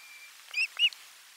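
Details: At an Osprey nest during a midday fish delivery on 12 July 2022, two short, clear whistled notes follow each other quickly, thin and slightly arched, against soft background hiss.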